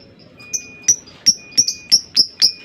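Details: Lovebird producing a quickening series of short, high, sharp chirps, about three per second, over a quiet background with a faint steady tone.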